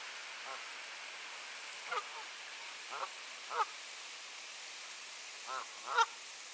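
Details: Geese squabbling over territory on a clear, cold April 2023 morning in Sainte-Adèle, Quebec, Canada: five nasal, harmonic honks at uneven intervals, the last two loudest, against constant background hiss.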